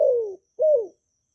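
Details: Spotted dove from Vietnam, a kept songbird's coo recorded cleanly to excite newly acquired doves. Two deep mellow notes, the first long and gently falling, the second shorter, arching and dropping, then silence.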